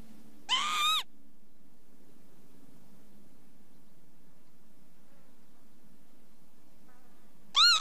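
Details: Two wheezy Northern lapwing calls, one early and one at the very end, separated by several seconds of faint hum and rustle.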